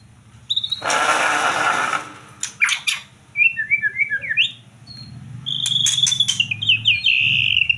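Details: White-rumped shama, tied to songbird contests, singing: a loud burst of broad rustling noise, then sharp clicking strokes, short whistled slurs, and a long sustained high whistle with rapid clicks over a low background hum.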